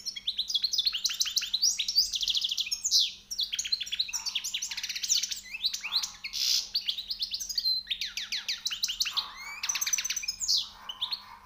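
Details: Goldfinch newly caught from the wild delivering high notes: a loud, continuous rush of rapid tinkling twitters, buzzy trills and sweet slurred notes in long dense phrases with only brief breaks, over a steady faint hum.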